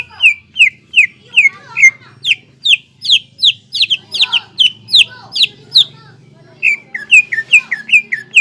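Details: Greater green leafbird as a lure to excite young leafbirds: long run of loud, sharp downslurred whistles repeated about two and a half per second, steady and insistent, with a few softer lower notes interleaved.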